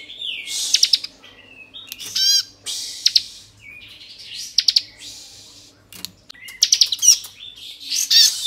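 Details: Song of a Bar-winged prinia, Kristal type, played to stir up other prinias: spaced bursts of dry clicks and rattles with short whistled slides in between, steady low hum underneath.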